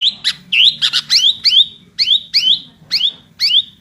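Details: Sooty-headed bulbul, Pycnonotus aurigaster, singing an 'isian' (filled-in) song in a lively 'gacor' style: a fast series of bright, sharp, upward-sweeping whistled notes, about three a second, with a faint low hum underneath.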